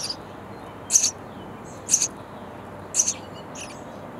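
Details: Hungry sparrow nestlings calling from a bird house nest as parents deliver insects; three loud, high, rasping chirp bursts spaced about a second apart, with a weaker fourth at the end.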